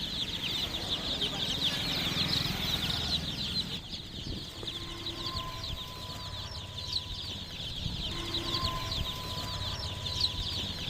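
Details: Numerous chicken chicks peeping continuously, a dense high-pitched chirping chorus, joined midway by a steady electronic whine and a short beep-like tone, low hum underneath.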